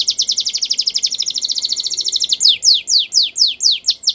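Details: Singing canary for young canaries in training: a long fast rattling trill of rapid repeated notes, changing to slower, loud downward-slurred whistles repeated about twice a second.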